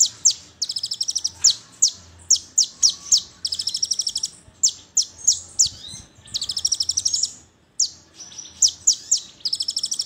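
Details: Brown-throated sunbird, known locally as konin, in a lure song used to prompt other sunbirds to burst into song: rapid high, thin chirps and short trilled bursts in dense runs, nearly continuous over ten seconds, with a faint low hum beneath.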